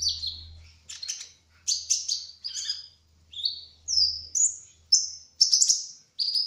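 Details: Brown-throated sunbird, a speckled kolibri ninja singing energetically, delivers short high chirping and twittering phrases, some sliding down and others flat whistles, in bursts roughly every half second, over a low steady hum.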